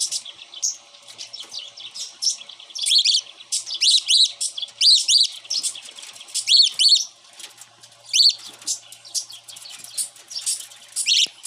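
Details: Growing pet cockatiel calling loudly in dense bursts of rising and falling chirped notes, some in quick doubled pairs, with short gaps between clusters over about eleven seconds.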